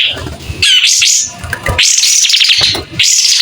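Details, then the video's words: White-rumped shama (kapas tembak) fanning its tail and singing: three bursts of high, fast warbled whistling separated by quieter gaps filled with low rumbling noise. "Kapas tembak gacor buka ekor.. SUARA JERNIH"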